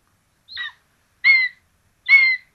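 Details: In Tiszalök, Hungary, on 26 June 2022, common buzzards at a nest feed rabbit to two chicks; a softer first note then two stronger hoarse, slightly whistled squeals, each under half a second.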